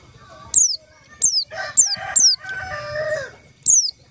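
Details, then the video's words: White-eye lure call for trapping white-eyes: five high, sharply falling whistles at uneven intervals, interleaved with lower, harmonic chattering calls of other birds and background noise. "suara panggilan pleci untuk pancingan pleci"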